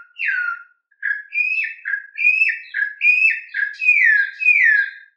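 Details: Canto mateiro song of a Campo troupial: rich, fluting whistled phrases sliding up and down, some notes falling and others stepping upward, given in a steady run with brief pauses, in a clean recording.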